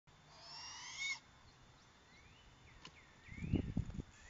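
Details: Barred owl on the evening of 31 March 2020 at 7:20 pm. A short low, rough hooting burst comes near the end, after thin high whistled slurs and chirps from other creatures earlier on.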